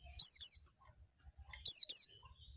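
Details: Pleci, or kacamata white-eye, gives two pairs of sharp, high descending whistled notes with a gap between the pairs; otherwise quiet.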